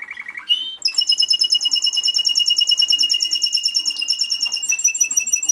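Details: Timbrado Español canary cock from a 2013 German championship, vice-champion, opening with a short low trill, then a long bright metallic rolling trill with rapid pulses, shifting slightly in pattern toward the end.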